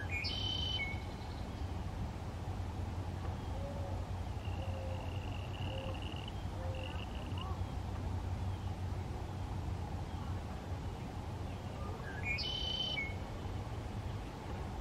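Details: Anhinga nestling, forced from its nest by a raccoon, dropped into a pond at Lake Seminole, Seminole, Florida and swam across to escape; two brief harsh squawks about twelve seconds apart, thin whistles between, over a steady low rumble of wind or water.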